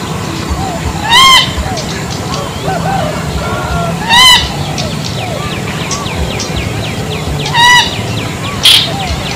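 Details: Bronze-winged jacana giving loud, nasal, honking calls with strong harmonics, each about a third of a second, heard three times at uneven intervals, then a brief sharper note. A busy chorus of faint chirping birds and low rumbling fill the background.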